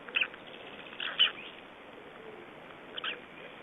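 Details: Three-day-old black stork chicks in Estonia, 2012, give three brief, high, squeaky cheeps, spaced one to two seconds apart, over a soft steady hiss.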